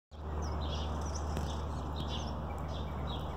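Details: Unidentified birds singing in force after a storm: several short, high chirps and twittering notes scattered through, over a steady low hum.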